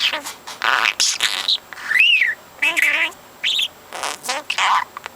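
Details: Young captive parrot, four months old, mimicking words and conversations heard the day before; garbled speech-like syllables, a loud upward-sweeping whistle in the middle, and wavering voiced notes.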